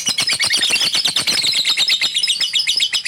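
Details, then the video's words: A lovebird chatters nonstop in a fast, shrill run of squeaky twitters and buzzy notes, several each second, with no pauses. "lovebird fighter gacor"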